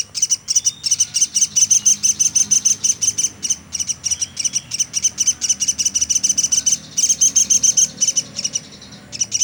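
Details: Platuk sampit woodpecker calling nonstop as a tutor recording for songbirds: rapid, very high, sharp chirps repeated several times a second in long runs, with short breaks, over a faint low hum.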